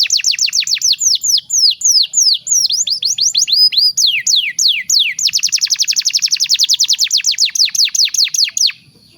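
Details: Canary master song used to train young birds, loud high rolling trills of rapid downward-sweeping whistled notes, changing speed and pitch in successive tours, faint low hum beneath.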